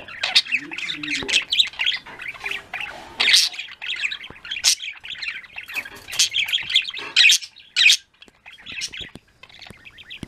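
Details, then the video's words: Afternoon chatter from a pet budgerigar flock, many birds warbling and chirping together in continuous high trills, punctuated by loud harsh squawks and bursts, a short low sliding sound early on, quieter gaps near the end. "budgies; afternoon chirps"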